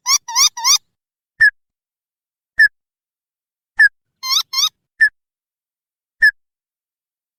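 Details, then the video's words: Crake (tututan) call used as a lure to make wild birds answer: two bursts of three rising, ringing whistled notes, each burst followed by sharp single clicks spaced about a second apart. "SUARA PIKAT TIKUSAN, Burung Tututan."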